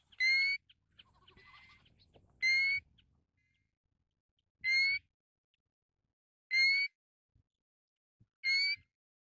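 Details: Pacific golden plover calling, filmed in Taiwan: loud clear whistled calls, each slightly rising with bright overtones, given five times at about two-second intervals, with a brief low rustle between the first two.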